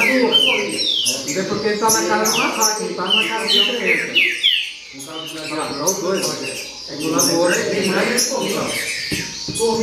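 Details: Baderna-style song of a green-winged saltator: dense bursts of descending whistles and harsher notes, a brief lull near the middle, then renewed rapid phrases mixed with ticking sounds and low background voices.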